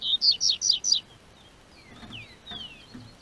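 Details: Double-collared seedeater singing in southern Brazil as spring weather warms, from a registered amateur breeder's bird: four loud rapid descending whistled notes, then quieter faint whistles and soft knocks.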